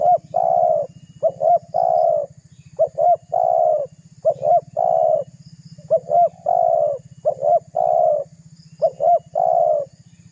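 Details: A vigorous spotted dove presses a rival with steady cooing, used to lure other doves: about nine phrases in ten seconds, each two quick arched notes and a longer coo, over a low throbbing background.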